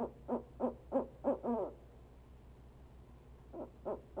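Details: Male barred owl calling from a Leesville nest box during 45 minutes of persistent calling. Five quick hoots, the last drawn out and wavering, then silence and two faint hoots, against a low humming background.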